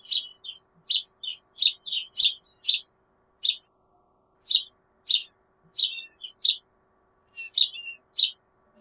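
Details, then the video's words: House sparrows at a backyard give clipped, bright chirps in loose clusters of two or three, with short pauses between groups over nearly nine seconds, the surroundings otherwise silent. "House Sparrow Sounds and Calls"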